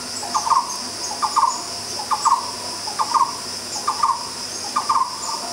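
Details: A Black-browed Barbet at Bukit Tinggi, Malaysia, sings short, mellow, mid-pitched phrases of a few quick notes, repeated about once a second, while a steady high insect drone runs behind.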